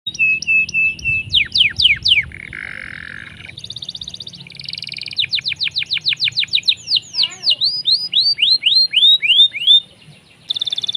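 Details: Canary in full song, played as a tutor for other songbirds, with rolling trills, harsh chattering and chirping notes: fast series of sweeping high notes, buzzy blocks and rapid rattling trills change every second or two, over a faint low hum.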